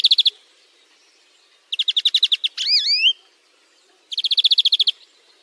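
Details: Greenfinch song for training a bird to sing, with fast chirpy trills of evenly repeated notes, a pair of sweeping slurred whistles, then another rapid trill after a pause.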